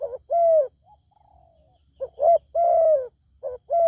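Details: Zebra dove meeting a wild bird with a fine voice that will not come down to fight: low mellow cooing phrases, short stuttered notes then long drawn hums, repeated, with a fainter descending trill between.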